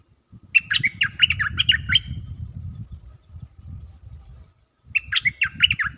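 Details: Caged stripe-throated bulbul singing a lure song: two bursts of quick, bubbly warbled notes, about one and a half seconds each, separated by a long gap, over a steady low rumbling noise.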